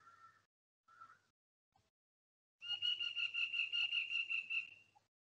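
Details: A flameback woodpecker gives two brief high notes, then a fast, even, ringing rattle lasting about two seconds; the Soliga people believe this call signifies no danger or a clear path ahead.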